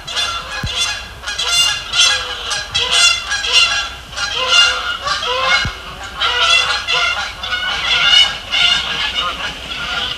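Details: A flock of Canada geese pays a pre-sunset visit to frozen Sapsucker Woods Pond in winter, walking across the ice and foraging before takeoff; dense, overlapping nasal honks pour out continuously, rising and falling in loud waves.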